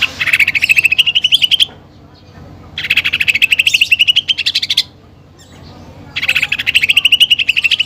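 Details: Greater green leafbird in full song, its song filled with imitated fighting sparrow and woodpecker phrases: three bursts of rapid, evenly pulsed chattering notes that climb gradually in pitch, each lasting under two seconds, separated by short quiet gaps.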